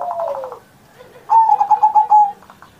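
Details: Zebra dove cooing on Indonesian Independence Day to stimulate young or quiet pet doves: a falling pulsed coo, a brief pause, then a loud string of about seven evenly beaded notes on one pitch.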